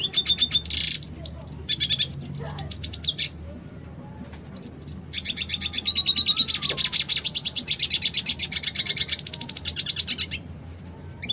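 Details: Red siskin of the dilute colour form singing roll tembak: a burst of buzzy trills and whistles, a quiet pause of about two seconds, then a long rapid rattling trill with high whistles lasting several seconds.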